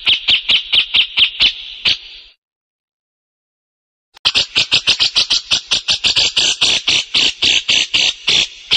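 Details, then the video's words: Grey-cheeked Bulbul giving harsh, high, evenly spaced notes, about two per second, in two bouts separated by a short silence. "SUARA BURUNG CUCAK JENGGOT"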